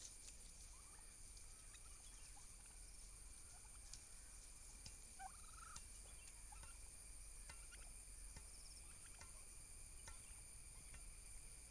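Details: Domestic turkey toms fighting each other for dominance. A few faint, short, warbling calls come near the middle, among scattered clicks and scuffling sounds over a steady background hiss.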